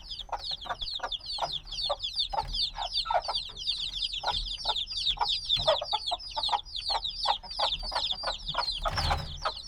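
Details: Noisy flock of black chicks only days old, in a binaural field recording, fills the air with overlapping shrill falling peeps; steady pecking or tapping knocks run beneath, and a brief louder rustle breaks in near the end.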